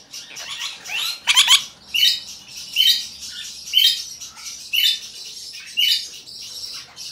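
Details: A cream ino lineolated parakeet gives high, squeaky chirps in short bursts about once a second, with a few harsher squawks among them.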